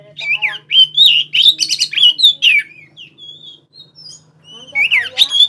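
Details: Oriental magpie-robin song played day and night as a lure for other birds: rich whistled phrases, slurred up and down notes mixed with harsh chatter, a pause with thin high notes, then another loud burst; steady low hum beneath.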